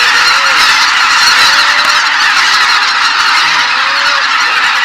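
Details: Greater white-fronted geese on a marsh, all taking off together at sunrise in the morning, making a loud, dense roar of overlapping honking and yelping calls, with a few lower drawn-out notes audible beneath the chorus.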